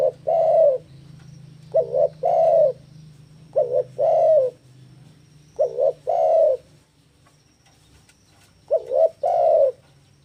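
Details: Eager spotted dove in breeding condition, cooing at a rival. Five phrases come every two seconds or so, with a pause near the end, each a brief quavering note followed by a longer, steady coo. Low hum in the background.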